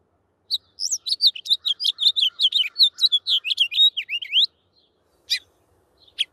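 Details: House Finch song: a rapid, lively jumble of bright warbled notes, with up-slurred two-note starts and a rough, skidding patch before it recovers, running about four seconds, then two short separate chirps.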